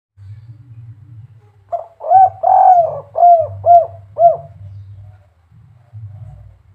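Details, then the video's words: Spotted dove, known locally as derkuku, giving the viral 'kuk 3' style call: a short note, a long rolling coo, then four clipped, arched coos in quick succession, over a steady low hum. "suara burung derkuku kuk 3"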